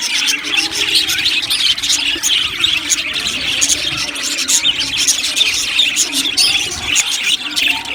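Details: In a budgie aviary colony, continuous high chirping and warbled twitters from many birds run on without a break for several seconds.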